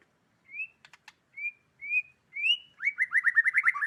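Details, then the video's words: White-rumped shama of the Medan type in clear song: separate rising whistled notes spaced about half a second apart, a couple of dry clicks, then a rapid burst of about ten quick descending whistled notes, with no other sounds. "kicau murai medan"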